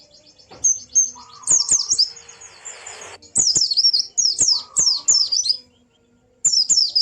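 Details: Rapid, high twittering song of a white-eye in ngalas style, aimed at coaxing a mute bird to sing. Repeated zigzag chirp phrases come with a lower whistled tone and a brief hiss of noise.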